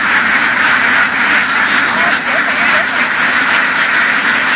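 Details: Laying ducks raised by field herding in western Vietnam's farmland keep up a thick wall of raspy quacks, the massed flock chattering continuously while a few higher wavering notes rise above it.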